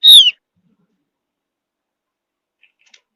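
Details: A single bright, falling whistle from a Javan grey-throated white-eye, a mountain forest bird whose song is used to prompt other birds to answer, followed by near silence and faint ticks.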